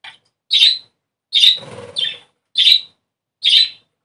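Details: Budgerigars singing to stimulate breeding, giving bright, high chirps about every second, with a short scratchy chatter between them.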